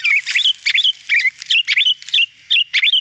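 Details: Clear, lively sooty-headed bulbul song used as a tutoring recording for cage birds: bubbly phrases of two or three liquid, rising-then-falling whistled notes, repeated roughly every half second without pause, on a clean background.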